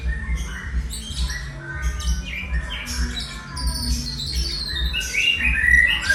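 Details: Eleven-month-old white-rumped shama singing in imitation of a lyrebird: a dense, fast run of varied whistles, sharp chirps and squawky notes jumping between high and mid pitches, over a steady low rumble of background noise.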